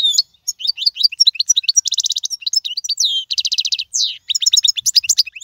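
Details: European goldfinch singing a royal, error-free song used to tutor young birds: a continuous, rapid, high twittering stream mixing liquid chirps, buzzy rattling trills and quick downslurred notes, with no other sounds.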